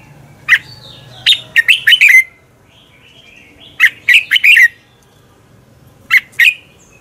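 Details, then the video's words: Morning song of a red-whiskered bulbul used to provoke competitive singing: three phrases of quick, liquid, bouncing notes, the first two longer runs, the last two notes only, with a faint low hum early on. "Luyện chào mào hót sáng Giọng chuẩn hay Để ép bổi căng hót, chào mào hót đấu"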